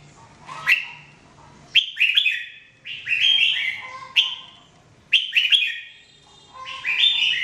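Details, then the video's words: Jambul, the red-whiskered bulbul, sings in 2017 in a series of short, loud, chirpy whistled phrases, each a cluster of rapid up-and-down notes, repeated roughly every second with brief silences between. "Training Jambul bird singing everyday 2017"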